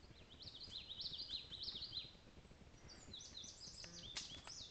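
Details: Indigo Bunting singing in the wild: a run of sweet, high, doubled notes, each pair slurring downward, repeated rapidly for over two seconds, followed by another bird's thin, high overlapping phrases against light background noise.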